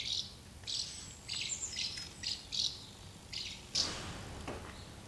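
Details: Flock of house martins at two nests where young are fed and fledging, recorded 24 August 2012. Short, dry, buzzy chirrups fire in quick succession, roughly two per second, against a quiet background.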